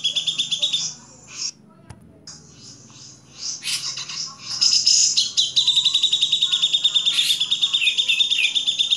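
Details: Grey-cheeked bulbul in a master recording for training songbirds: buzzy high chatter, a near-silent gap with a click, scattered chirps, then a resumed fast pulsing rattle of bright notes.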